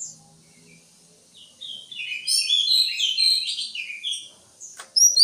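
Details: Greater green leafbird singing: a dense, rapid jumble of sweet warbled and chattering notes high in pitch, starting after a quiet pause and building in the middle, with a sharp click near the end.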